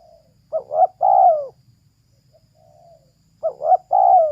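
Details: Female spotted dove: two cooing phrases, each a short double note and then a long soft coo that slides down. A few faint, quieter coos are heard in the pause between them.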